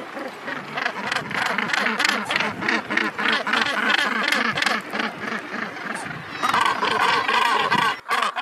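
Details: Harsh, rasping calls of many northern gannets on Helgoland, their nesting site since 1991, overlapping in a constant noisy chorus with rhythmic throaty pulses and a brief drop near the end.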